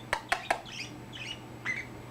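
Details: Pet male budgie indoors, chatting after recently finding his voice: a burst of sharp clicks, then soft buzzy warbles and a brief chirp.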